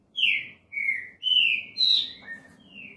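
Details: Green-winged saltator singing its classic song: a run of five loud, rich whistled phrases, each sliding slightly downward, delivered about twice per second with barely any pause, ending on a softer trailing whistle.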